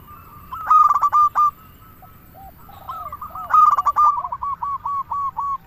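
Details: Local zebra dove song used as a lure to draw doves and prompt silent or stressed birds to sing: rapid stuttering bursts of bright, rolling coos near one pitch, with softer answering coos from another dove between phrases.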